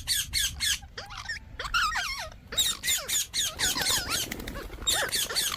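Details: Indian ringneck parakeet chattering rapidly, several harsh squawks per second blending into a busy, scratchy run of short twisting notes, with background hiss.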